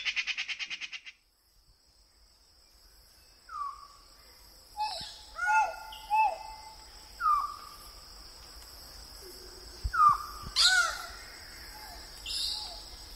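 Trumpet manucode: a string of short, downslurred nasal calls, roughly one a second, after an opening buzzy rattle, with a thin, steady high insect whine behind.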